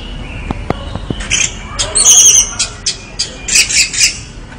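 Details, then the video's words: Orange-headed thrush singing vigorously: a few sharp clicks open, then a burst of loud, harsh, scratchy phrases and chattering notes that swell in intensity toward the end. "anis merah gacor"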